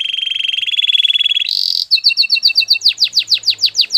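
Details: Belgian canary singing: a long, high, fast-pulsing trill, a brief harsh burst, then a chain of clipped double notes, ending in loud, sweeping downslurred whistles repeated in steady rhythm.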